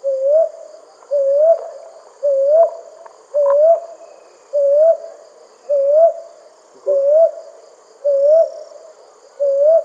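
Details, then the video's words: Brown hawk owl calling at night: a soft, rising hoot near the same pitch, repeated about once a second in a steady series, over a constant high insect hum. "কাল পেঁচার ডাক | Brown Hawk Owl Horror Sound at Night | Hawk Owl Call"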